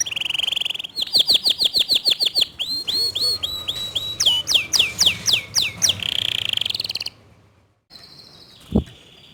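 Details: Local canary singing in the fast, tight 'tembakan' style: a long sweeping whistle, then rapid bursts of rising and falling whistled notes about three per second, shifting trill phrases, a brief pause, and a final buzzy note.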